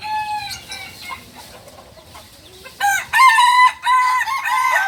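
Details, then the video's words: Novice Balenggek rooster, a native chicken of Solok, West Sumatra, crowing: a drawn-out harmonic note opens, then after a quiet gap a string of loud, stepped crow syllables with rich overtones. "Ayam kukuak balenggek PEMULA ayam asli solok sumbar"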